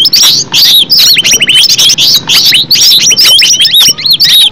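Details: Green leafbird in natural song: loud, rapid, continuous chattering of bright whistled notes, with many quick rising and falling sweeps in a high register.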